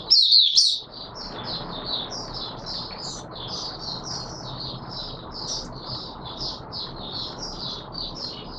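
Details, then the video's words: Oriental white-eye in open song, 24 March 2022: one loud burst of sharp twitters, then a long, quieter, steady run of short high chirping notes over a constant background hiss. "Mata Puteh Raja Video 1 buka sing"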